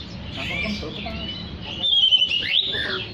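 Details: Oriental magpie-robin singing briskly, a recording intended to call other magpie-robins. Soft jumbled notes give way to a clearer level whistle, quick rising and falling phrases, and a sharp high note at the end.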